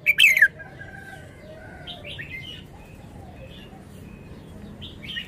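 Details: A single loud, bubbly phrase of falling notes from a red-whiskered bulbul in wild-style song opens, then quieter scattered chirps from other birds continue in the background.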